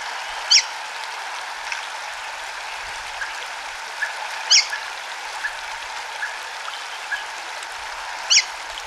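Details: Red-cowled cardinal (Paroaria dominicana) singing brief, bright high notes about every four seconds with pauses, a training recording with intervals, over a steady hiss like running water.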